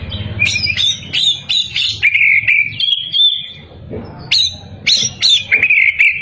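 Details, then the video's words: An Oriental magpie-robin sings loudly to draw out rival birds. Fast runs of upslurred whistles give way to drawn-out warbled notes, then more rising whistles after a brief lull. A soft low hum sounds behind. "Burung kacer gacor bikin musuh terpancing"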